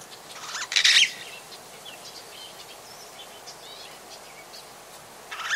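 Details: Long-tailed glossy starling at Oyster Creek on the Gambian Coast Road; one loud harsh rasping burst early, faint scattered chips afterwards, and another call starting at the end.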